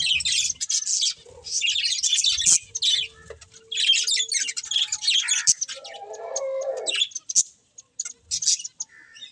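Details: Budgies chattering in bursts of raspy, twittering chirps, broken by short silences, with a faint hum and a brief lower squawk near the end.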